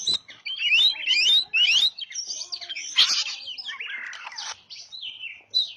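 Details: Oriental magpie-robin song played as a lure to attract birds: a lively run of clear whistled phrases, rising and falling sweeps and slurred notes, broken by short harsh bursts and brief pauses, with no other sounds.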